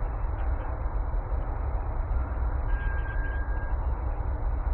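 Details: Low, steady city traffic rumble fills the recording, with a brief thin mechanical squeal partway through and no animal voices.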